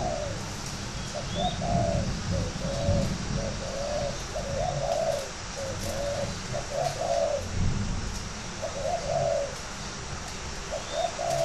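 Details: Spotted dove of a fighting-dove line from a bird garden in Ba Vì, Hanoi, Vietnam: low, soft coos in short repeated phrases of two or three notes, partly masked by a steady loud hiss.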